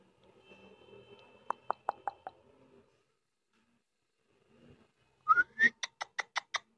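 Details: Caged or pet Indian ringneck parakeet kept indoors as a talking bird: a soft row of short clicks, a pause, then two rising whistled notes followed by a rapid string of harsh repeated calls.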